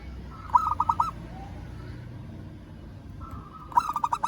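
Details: Two bursts of rapid, mellow cooing from a local zebra dove calling a rival. Each burst has four or five notes, separated by about three seconds of quiet background hum.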